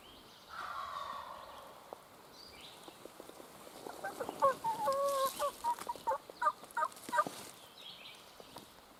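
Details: Big wild turkey tom gobbling on a late-season spring morning in Virginia mountain woods, held with his hens while hunters try to pull him away; a rapid rattling gobble burst of about a dozen pulses after a softer earlier call.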